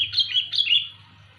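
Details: A single quick burst from a sooty-headed bulbul, its loud luring call heard as three or four liquid, slurred chirps tumbling together before fading, low hum in the background.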